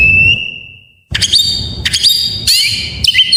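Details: Full-variety white-rumped shama song meant to stimulate other shamas: a long steady high whistle fading out, a short silence, then bursts of sharp clicking notes and bright whistled slurs.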